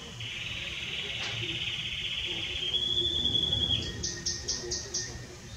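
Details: Belgian canary song, strong and warm: a long level whistled note held for several seconds, then a bright series of quick, evenly spaced high pulses, with a constant low hum behind.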